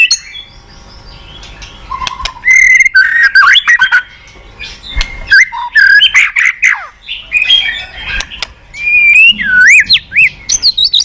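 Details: Lure recording of a white-rumped shama, meant to make a quiet caged bird answer and sing: fast, varied torrent of whistles, sharp clicks, chattering bursts and looping slurred notes, with brief pauses between loud phrases.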